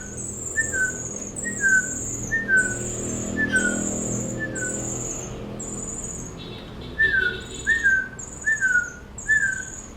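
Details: Hand-reared Asian pied starling chicks, 13–14 days old, taken from their parents at two days old and being hand-fed, give short clear downslurred whistled notes in quick series, pausing mid-clip, then repeating about once per second with a faint high hiss.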